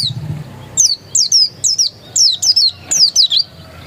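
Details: Oriental white-eye of the dakun type, said to be still wild, giving a string of about ten thin, high chirps. Each chirp slides quickly downward, and they come in quick uneven bursts over a quiet background.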